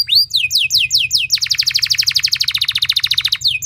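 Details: Loud canary lure song used to get other canaries singing: a few high sweeping notes, then a dense, rapid rolling trill held for about two seconds before more sweeping notes.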